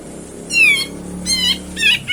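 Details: Grey-cheeked bulbul lure played loud to coax birds that are slow to sing: a series of nasal, drawn-out descending notes, repeated about every half second, over a low hum.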